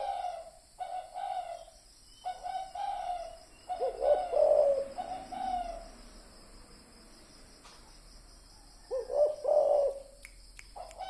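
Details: Spotted dove lure sound: several low coo phrases with breaks between them, set against a steady background chirring of insects.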